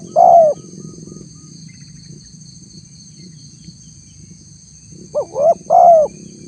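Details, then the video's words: Spotted dove lure call used to draw responses from wild doves: one deep coo, a pause with a low rumbling background, then a quick series of three coos, the last drawn out. A steady high electrical whine runs throughout. "suara tekukur PALING DI CARI untuk memancing respon tekukur liar"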